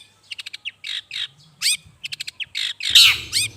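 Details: Long-tailed shrike sound played as a bird lure: quick clusters of short ticking chips alternating with rougher rasping notes, ending in a louder harsh squawk over faint low hum.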